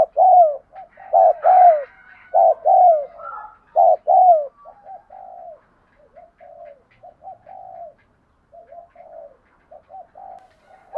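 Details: Spotted dove kept for training decoy birds, giving a series of low, mellow coos around mid pitch: loud doubled and tripled notes in the first half, then softer, quicker coo phrases trailing off, with faint quieter coos between.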